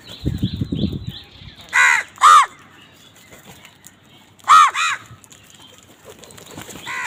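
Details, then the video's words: Crows fighting for food: two loud harsh caws close together, then a pause and two more hoarse caws, with a brief low rumble at the start and fainter calls in the background. "কাকের ডাক Crows fight for food Crow Sound"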